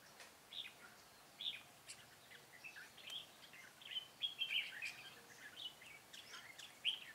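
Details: Fighting song of a red-whiskered bulbul decoy used for trapping, 13 March 2017: quick chirpy warbled notes repeated in loose bursts every second or so, faint against constant outdoor noise.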